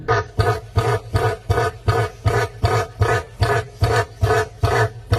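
A cassowary gives a rapid series of deep, throbbing booms, about two or three each second, with a rough, buzzy edge over the low rumble.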